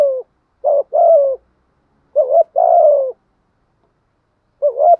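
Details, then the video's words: Spotted dove used as a decoy, cooing insistently in a practiced style; low hollow phrases of a short upslurred note followed by a longer sustained coo that sags at the end, about two and a half phrases with clean silences. "Chim cu gáy mồi thúc gù bài bản"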